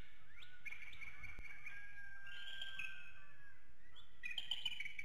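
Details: Bald eagles waking at the Hanover, Pennsylvania nest at 7:06 a.m., filmed by infrared camera: high thin whistled chips strung together, pausing, then a fresh burst of squeaky chittering near the end over soft hiss.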